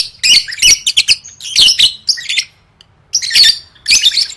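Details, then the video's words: Lovebird singing for contest training: loud, dense twittering and harsh squeaky chatter in quick bursts, a brief pause midway, then more shrill chattering notes. "Suara Burung Lovebird III Latihan Gacor Gantang Siap Juara"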